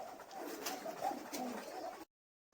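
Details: Local fancy pigeons cooing indoors: a soft, low murmuring coo lasting about two seconds, with faint clicks and room noise, then silence.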